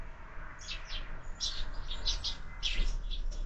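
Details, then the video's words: Sparrows feeding at a feeder fixed to a window at breakfast time; scattered short chirps in small clusters over steady low rumble. "Воробьи в кормушке - Завтрак"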